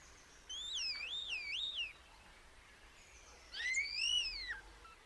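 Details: Common starling giving two drawn-out wavering whistles, the first sliding up and down in loops, the second rising then falling, over faint background hiss.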